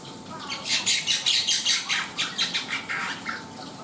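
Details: Black-winged myna in full song, a loud rhythmic string of harsh, scratchy high notes at a steady pace, fading slightly toward the end.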